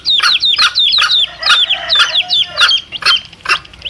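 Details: Mother hen with chicks, a lure for wild junglefowl cocks; looping, downslurred chick peeps ride over about eight sharp clucks, with a brief lower drawn-out note midway.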